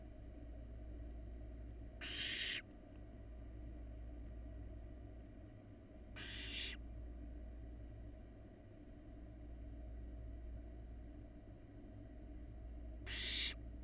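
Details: Barn owl nestlings preening each other's feathers at a nest box in Florida, filmed by a live nest camera. Three harsh, breathy hisses of about half a second each are spaced several seconds apart over a steady low hum.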